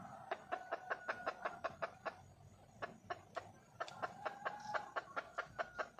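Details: Hen red junglefowl in the wild, calling for a mate: a steady series of short clucks, a brief pause midway, then the clucking resumes slightly louder, against soft hiss.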